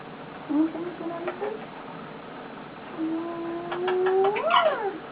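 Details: Pet male eclectus parrot lying on its owner indoors, making soft contented noises: a low drawn-out whistled tone that slowly rises into an arched upward-and-back swoop, with scattered soft clicks around it.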